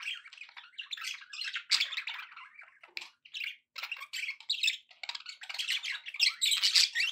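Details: Pet budgerigars chattering happily: dense, scratchy warbling broken into short bursts, with brief pauses near the three- and four-second marks, then louder buzzy squawks toward the end.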